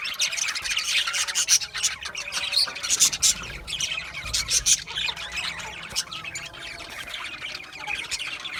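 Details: Budgerigars chirp in a lively flock, short bright squeaks and buzzy notes crowding together, strongest in the first half and steadying to a softer twitter later.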